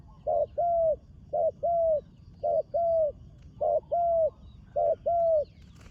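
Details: Young spotted dove on its first day at the competition ground, cooing five evenly spaced couplets, a short note then a longer drawn-out note, roughly one couplet per second against low background hum.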